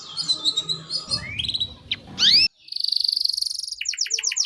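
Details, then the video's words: Canary tutor song for young birds: a noisy, muffled passage with a few rising whistled sweeps, then a clear high buzzy trill and a run of rapid descending notes. "MASTERAN Burung KENARI Gacor Panjang || Suara Pancingan KENARI Paud Agar Cepat Gacor"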